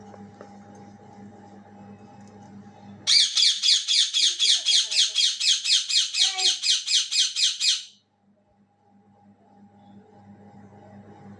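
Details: A rose-ringed parakeet (ringneck), a pet kept indoors around dinner time, gives a fast run of harsh, high squawks, about four a second for five seconds, over a quiet indoor hum.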